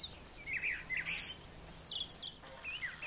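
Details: Brown thrasher in morning song on a farm yard: a few short slurred phrases, then bright rising and falling notes, with a faint low hum beneath.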